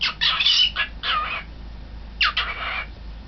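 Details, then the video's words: Young pet cockatiel in front of a mirror, recorded 20 March 2012, giving three harsh, scratchy squawk bursts, the first two close together and the third after a pause, against a faint low background hum. "Cockatiel in front of the mirror"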